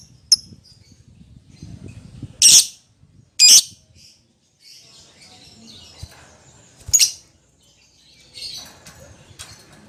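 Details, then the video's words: Lovebird calling a companion as a lure call: a few loud, harsh, shrill squawks spaced about a second or more apart over a low background murmur. "suara lovebird memanggil temennya | pancingan lovebird memanggil lawan"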